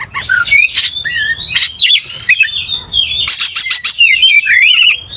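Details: An Oriental magpie-robin in full, energetic song used to provoke rivals, giving looping whistled phrases mixed with harsh buzzy bursts and wavering warbles in a continuous stream.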